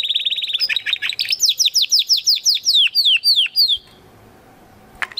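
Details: Spanish Timbrado canary from 2020 breeding, training song: a rapid trill leading into about a dozen loud descending whistled sweeps, then quiet, with one sharp click at the end.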